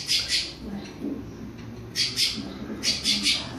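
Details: Creamy-bellied thrush warming up its classic song, with three clusters of loud, harsh, high chattering notes, two or three per cluster, separated by short gaps with a low background hum.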